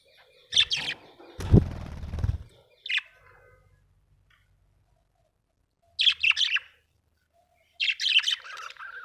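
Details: Happy budgerigar giving short, sharp chirps in clusters, each a quick burst of high twittering notes, separated by pauses of one to two seconds, with a dull low thump and rustle early on.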